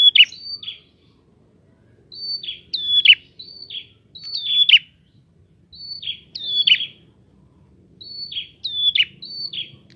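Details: Prinia singing hard, a lure for untrained prinias; rapid clusters of high whistles with sharp buzzy down-sweeps, delivered in bursts of two or three phrases with short gaps.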